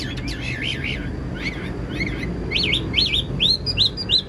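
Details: Caged Chinese hwamei in Vietnam, described as a fine, well-structured singer, giving a run of bright whistled notes that swoop up and down, quickening toward the end, over a low steady hum.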